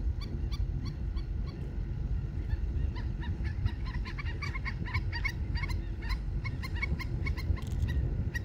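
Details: Hawaiian stilts (aeʻo, an endangered subspecies) on Maui on February 9, 2024 give sharp, nasal yapping notes, several birds overlapping in quick bursts, over a steady low rumble of wind or surf.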